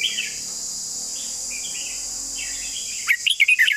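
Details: Soft distant chirping gives way to a loud, quick Red-whiskered bulbul phrase at the end: about six clear, swooping whistled notes in rapid succession, backed by a constant high insect drone.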